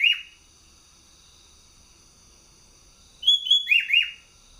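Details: A sooty-headed bulbul, a caged competition singer from Bogor, ends one phrase with a falling slur, then after a pause sings two level whistles and three quick downward-sweeping notes, over a soft steady hum.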